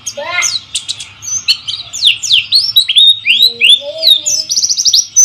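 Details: Lure song of the pleci, or white-eye, mixed with trickling water: dense high twittering with sweeping chirps and a fast trill at the end, plus low slurred whistles.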